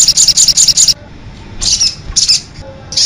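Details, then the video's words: Sogok ontong sunbird, konin-voice master song for coaxing birds to answer: a quick run of high chirps, silence, then short clusters of high twittering notes. "suara pikat dan masteran burung sogok ontong persi suara konin full isian d jamin bikin nyaut"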